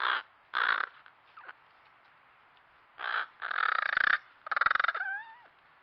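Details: Wild crows in a backyard in Nova Scotia, Canada, recorded on a trail camera, making unusual sounds just after walking out of view. Hoarse caws in short bursts, ending in gliding, rising whistled notes.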